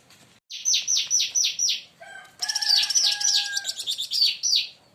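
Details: Leafbird in agitated song, provoked by another bird. A run of five loud, sharply falling whistled notes is followed by a dense, scratchy warbling jumble, with a rooster crowing underneath.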